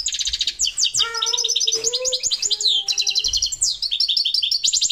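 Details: Continuous high, rapid, tinkling twitter from a parva goldfinch, with lower sustained whistled tones running beneath it midway through.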